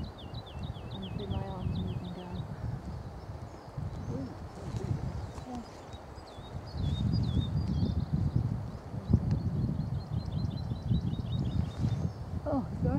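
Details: A woodlark at Dersingham Bog NR, 28 April 2013, gives fluty, repeated falling notes in quick runs, near the start and again near the end, over strong low wind rumble and faint voices.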